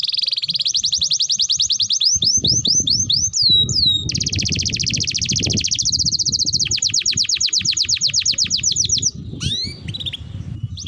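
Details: Canary singing continuously as a lure and tutor for young canaries: fast rolling trills alternate with repeated sweeping syllables and a long buzzy roll, ending in scattered whistled notes, with some low background noise.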